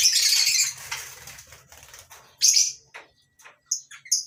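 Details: Lovebirds in a mini colony aviary on a breeding farm at morning, including masked and Fischer's lovebirds. A burst of fluttering and loud shrill chatter opens, followed by a harsh squeal and several short piercing whistled chips.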